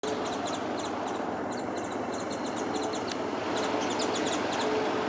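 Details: Japanese white-eye preening and bathing; thin, high chirps come in quick clusters, repeated several times a second with short pauses, above a steady low rumble of background noise.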